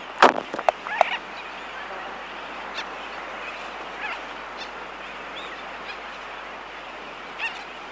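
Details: Laysan albatross recorded close up in a colony, with sooty terns in the distance and aircraft noise: a burst of loud sharp clicks in the first second, then a steady wash of distant colony calls.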